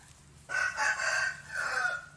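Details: A rooster crows once, loud and close, in a strained, ringing cock-a-doodle-doo that swells and holds before trailing off into a lower final note.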